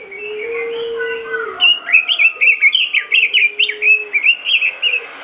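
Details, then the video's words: Robin in vigorous song meant to set other robins singing. After a quiet start with a low drawn-out whistle, a dense, lively string of short warbled notes pours out, rising and falling in quick succession. "masteran burung robin gacor dor,bikin robin lain ikutan gacor"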